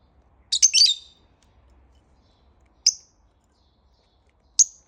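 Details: Pet lovebird in the morning giving a brief cluster of high, scratchy chirps followed by two single sharp whistled notes spaced well apart, with a soft low hum underneath.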